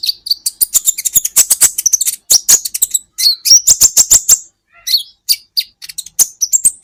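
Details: Kolibri ninja sunbird in full song on a tutor track for caged birds: a dense, fast stream of shrill chips, trills and thin rising whistles, nearly continuous with a brief pause midway.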